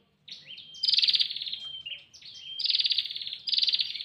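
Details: A female bar-winged prinia calls for the male, a sound used to attract wild birds: buzzy, grating bursts with a fast rattle, each up to a second long, separated by brief thin rising notes, with a faint background hum.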